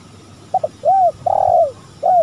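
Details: Spotted dove recorded as a lure call: two quick soft notes, then a low, arching coo and a longer rolling, slightly trilled croon, followed by another arched coo, over a quiet background.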